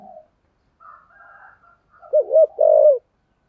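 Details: Spotted dove decoy in the 'giọng thổ' style meant to attract wild doves: faint higher murmurs, then a loud phrase of two quick coos and a long drawn-out coo.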